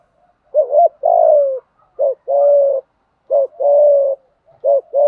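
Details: Fighting coo of a spotted dove, used to stir wild birds and train decoys to sing. Several pairs of a brief opening note and a drawn-out, even, low coo come in quick succession.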